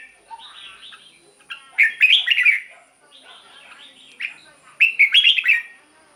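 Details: Red-whiskered bulbul song meant to excite caged birds: softer warbling leads into two loud phrases of rapid, bubbly slurred whistles about three seconds apart, with quieter notes between.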